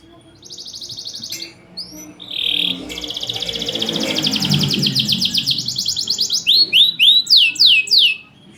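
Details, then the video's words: Caged champion canary singing loudly with short pauses, used to prompt lazy singers: fast rolling trills building in intensity, then a string of high descending whistled sweeps at the end. "PANCINGAN KENARI MACET || JEDA RAPET || SUARA LANTANG || SUARA ASLI KENARI JUARA."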